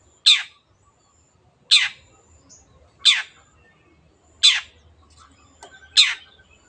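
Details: Long-tailed shrike, used to stimulate reluctant birds to sing, giving five sharp, harsh downslurred notes spaced roughly every one and a half seconds, with faint softer sounds between them.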